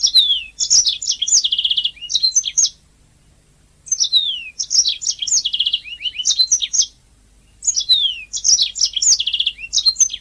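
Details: Canary song made as master recording for songbird training; three long bursts of rapid high twitters and sweeping whistles with buzzy trills, separated by clear pauses of about a second.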